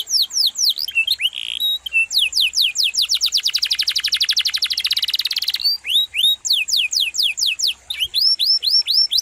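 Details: Canary in full, rolling song, used as a tutor recording for training magpie-robins, leafbirds and kacer: fast upward-sweeping whistles, then a long rapid rattling trill, then more bright sweeping notes.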